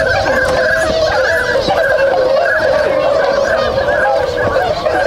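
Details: Flock of swans waking and beginning to move, Inzai City, Chiba, Japan, on 16 January 2022; crowded overlapping honks and bugles, with a few sharp splashes or flaps.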